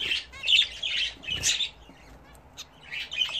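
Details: Budgerigars kept and bred at home, bathing and chattering: bursts of scratchy chirps and warbles separated by brief gaps, a soft flutter in the middle.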